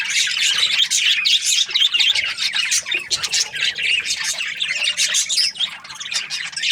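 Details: Chorus of Australian budgies giving busy, shrill chirps and scratchy squawks in quick, irregular bursts that overlap continuously without a break.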